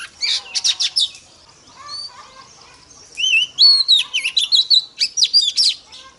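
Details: Female Oriental magpie-robin rousing males: a burst of sharp clipped notes, a quieter pause with soft thin whistles, then a loud run of rising and falling whistled slurs repeated rapidly.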